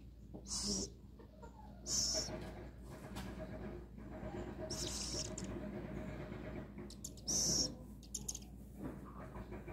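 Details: Before feeding, a little owl in rescue care gives four sharp, raspy, high-pitched screeches at uneven intervals, with quieter rustling and a low steady hum between them.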